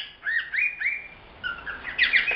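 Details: Young male cockatiel, the youngest bird of the household and kept indoors as a pet, chattering nonstop from morning to evening: short whistled chirps rising and sliding around a steady tone, then a quick burst of squeaky notes.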